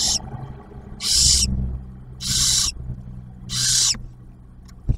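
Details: Barn owl nest in Ohio as the male drops off food and the female feeds the first-hatched owlet; four raspy, drawn-out screeching hisses, the first cut short, with low rumbling and shuffling underneath.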